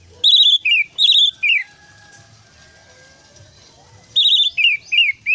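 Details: Orange-headed thrush lure song meant to get a stressed, silent bird singing again: short bursts of rich warbled notes with falling slurs, a quiet gap with faint background noise, then more warbled phrases.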